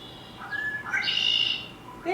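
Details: A Red-winged Blackbird, usually nesting in cattails near water and heard in spring, gives its conk-la-ree: two or three short, liquid opening notes, then a long, high, buzzy trill, with a faint note after it.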